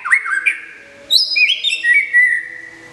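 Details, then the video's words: Caged white-rumped shama, a contest-winning bird from Kebumen, singing while under moult care: loud clear whistled phrases, a rising slurred note, then high sweeping whistles settling into a steady ringing tone. "SUARA BURUNG : Perawatan Mabung Murai Batu"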